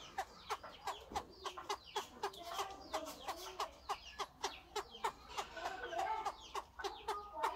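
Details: Chinese francolin in an aviary, with a female said to be clucking alongside male crowing. Short, sharp clucking notes repeat steadily about three times per second with faint overtones. The calls are moderately quiet over a steady background hiss.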